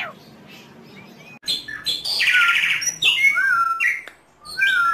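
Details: Asian pied starling singing loudly and vigorously, used as a lure recording to prompt other starlings: scattered whistled notes, then a harsh, buzzy rasp and slurred falling whistles, with short pauses between phrases.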